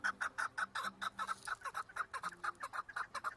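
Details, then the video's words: Chukar partridge call: a brisk, regular string of hoarse chuk-chuk notes, about five per second, evenly loud throughout, with a faint low hum behind. "Keklik en güzel keklik sesi"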